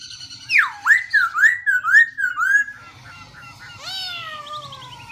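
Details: Black-throated laughingthrush singing with shifting voice: a swooping whistle drops, then a wavy series of about six rolling whistled notes, and after a pause a long, smooth falling whistle with fine high trills above.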